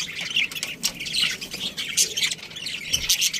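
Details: Colony of budgies with a breeding pair, continuous high squawky chatter, harsh notes rising and falling in quick irregular bursts.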